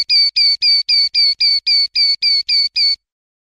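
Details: Common linnet (Carduelis cannabina) song: eleven identical clear whistled notes with a slight downward slur, delivered in a steady, rapid series of about four per second, then silence; clean recording with no background.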